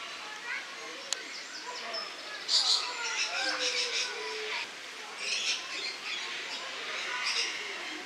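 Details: Lorikeets filmed in August 2015, giving harsh, broadband screeches in overlapping bursts, several birds calling at once with short rasping notes and a few lower tonal squeals in between.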